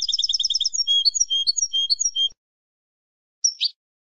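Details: Wild-type European goldfinch song used to train captive birds, opening with a fast series of paired tinkling notes, then twittering liquid chirps for two seconds, a silence, and a short final buzzy descending note.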